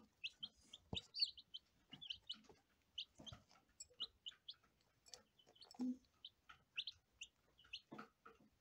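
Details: Day-old lavender Ameraucana chicks keep up a rapid chatter of short, high, bright peeps, nearly continuous, with occasional soft knocks and scraping.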